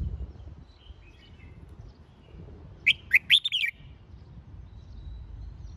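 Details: Competition-training song of a red-whiskered bulbul: a single rapid phrase of about five warbled, rising and falling whistles past the midpoint, with quiet background bird twittering elsewhere.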